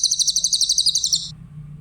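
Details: Grey-headed canary-flycatcher with a clear voice, for songbird training: a single high, quick trill of about fifteen evenly spaced pulses over just over a second, then low hum.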